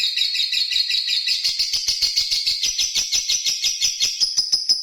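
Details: Lovebird in full ngerri song: continuous, fast, rattling trill of high squeaky notes that climbs gradually in pitch, ending in a thin, sustained whistle-like tone over the pulsing chatter.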